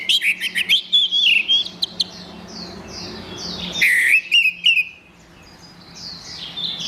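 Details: Orange-headed thrush in song, played to restart singing in a bird gone quiet: a fast string of high whistled notes, a brief lull, a second lively burst, then near-silence with faint distant twitters.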